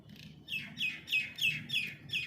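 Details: Sindhi black francolin calling: a series of six sharp, descending chirped notes spaced roughly a third of a second apart, with low background rumble.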